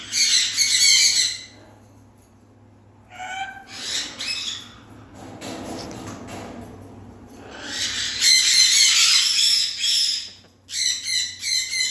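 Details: A parrot's grating, noisy calls: a loud rasping squawk at the start, a few thinner cries in the middle, and a long harsh outburst followed by clipped repeated squawks at the end.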